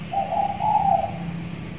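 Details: Young spotted dove, six months old, trained and tethered in a cage, beginning to call often: two drawn-out, level, mellow coos run together, set against loud broadband background noise and a low rumble.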